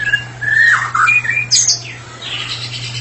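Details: White-rumped shama, a therapy bird, in 'ngeplong' full song: slurred whistles sliding down through the midrange, then a sharp high squeaky burst and softer scratchy notes, over a low steady hum.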